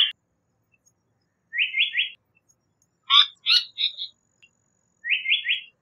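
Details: A Japanese paradise flycatcher repeats a three-note rising whistled phrase twice, with a cluster of harsh, buzzy chattering notes between the two phrases.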